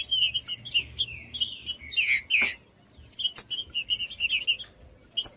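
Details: Green-winged saltator song used to stimulate birds: a series of short whistled phrases with a louder buzzy burst midway, then lighter, spaced chirping notes.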